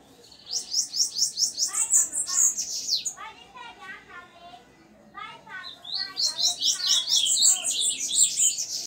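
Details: A leg-banded bananaquit sings high, thin, buzzy phrases in the cicada-like 'cigarra' style, delivered in rapid bursts.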